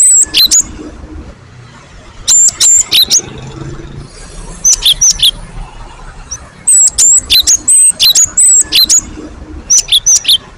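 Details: Gelatik batu great tit song used as a lure for other birds. Very high piercing whistles with quick downstrokes arrive in separate groups of three to six notes, with quieter stretches of low noise between them.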